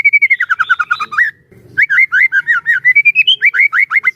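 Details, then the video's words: White-rumped shama kept as a trainer to get other shamas singing, delivering fast descending whistled notes, a short pause with a soft knock, then a quick rolling series of slurred, rising whistles. "burung murai batu gacor AMPUH buat PANCINGAN dan MASTERAN murai batu agar bunyi GACOR EMOSI"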